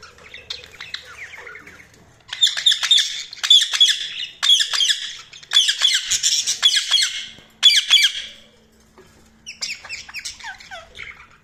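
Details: Budgerigars chirping: dense bursts of harsh, buzzy squawks and fast chatter, repeated in runs of about a second with short pauses between, rising and falling in pitch near the end.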